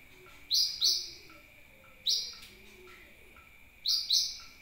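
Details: Sunbird lure call for attracting birds: three high, clipped chip bursts, the first doubled, separated by gaps of over a second, with a faint constant hum underneath.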